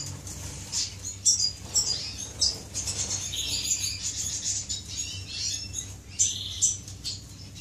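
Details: Finches courting inside an aviary, recorded 10 May 2015: bursts of high, thin chirps and short twittering notes come in quick clusters, with brief quiet gaps and a low steady hum underneath.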